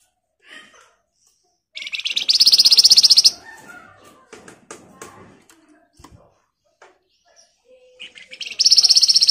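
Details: Flamboyan singing a dense, emotive song used as a lure to make other birds answer: loud, high, buzzy rattling trills in two bursts, with quieter scattered chirps and clicks between them.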